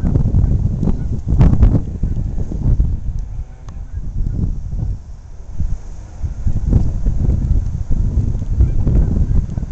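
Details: Honking Canada geese on the Saskatchewan River in Saskatoon, taken by camcorder in strong wind; scattered nasal honks cluster near the start and again later, with heavy gusting wind noise throughout.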